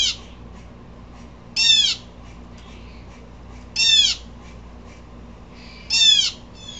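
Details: Three loud, harsh, rasping blue jay screams, evenly spaced about two seconds apart, with small faint notes in between. The bird is upset, and a low steady hum runs under it.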